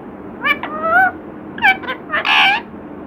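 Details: Chatty pet parrot reported to repeat "Radhe Krishna", giving several quick voice-like syllables, a drawn-out rising note, then a harsher, raspy burst near the end, indoors with low background hum.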